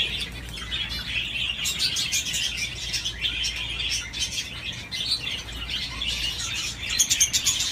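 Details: Budgerigar playing on a swing keeps up a long buzzy chattering warble, with ticking clicks and a burst of sharp chirps near the end.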